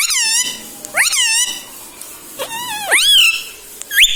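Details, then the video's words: Pet talking parrot said to say "mummy" and "papa" gives loud, close, wavering and upward-swooping syllables in short bursts, one sliding steeply up near the end. "talking parrot mummy papa"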